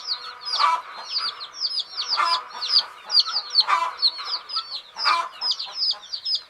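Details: A group of baby chickens, sleeping, keeps up steady high-pitched cheeping, rapid overlapping peeps with swelling louder bursts roughly every second and a half.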